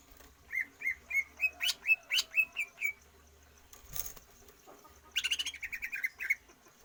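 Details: Greater green leafbird, kept for stamina training without free-flight exercise, sings a run of about nine clear whistled notes near one pitch, each slightly bent, followed after a pause by a faster burst of bright chirps.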